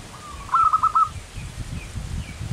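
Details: Manggung song of a local zebra dove, a bird praised as an active singer: a drawn-out lead note followed by four bright, quick coos in a rolling burst, then low rumbling background noise.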